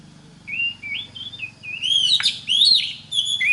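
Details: Song of an Oriental magpie-robin used to teach others of its kind: smooth rising and falling whistles building into loud, sweeping, slurred phrases with one sharp click, over a faint low hum.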